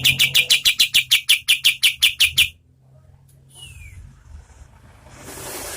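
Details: Oriental white-eye, called kapas tembak, medium-speed lively song used as tutor audio for competition birds: a quick series of sharp, bright chip notes at a steady fast rate for over two seconds, then quiet with a faint thin downslurred note.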